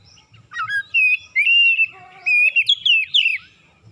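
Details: Oriental magpie-robin in a morning lure recording meant to set reluctant birds singing. Loud, persistent song: a short rising note, then long level whistles, a lower warbled phrase and sharp falling slurs, with faint low rumble beneath.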